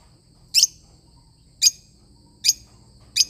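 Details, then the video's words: Lovebird parrot uttering four isolated piercing high chirps, spaced about a second apart, with a faint low hum underneath. "love bird singing sound"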